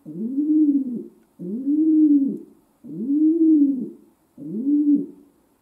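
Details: Domestic pigeon kept as a pet, cooing indoors: four steady, low, humming coos, each about a second long with an arched rise and fall, spaced evenly roughly every 1.4 seconds.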